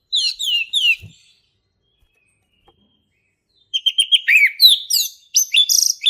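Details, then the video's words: Male orange-headed thrush, forest recording, ngeplong song: three descending whistled notes, a long pause, then a dense burst of rapid chattering and sweeping whistles. "SUARA ASLI HUTAN ANIS MERAH JANTAN GACOR NGEPLONG"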